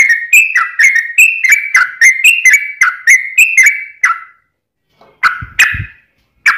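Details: Sooty-headed bulbul (trucukan) singing in the long 'ropel' style, played to coax a kept bird into song: a steady run of short, clipped, alternating high and low chirps, about three per second, then a pause and a few louder notes.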